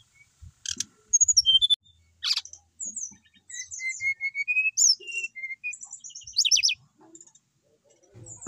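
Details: Energetic song from a caged Bali brown-chested jungle flycatcher: a series of evenly repeated whistles slowly rising in pitch, mixed with high slurred notes and a few sharp clicks and knocks in the background.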